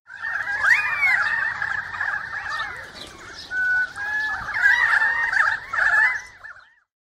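A flock of galahs screeching together: harsh, grating, overlapping shrieks in a steady noisy chorus for about six seconds.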